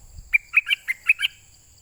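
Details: Southern Thai pied fantail calling for a mate with six short, sharp, squeaky chirps at an even pace, spread over about a second, over a faint constant high hum.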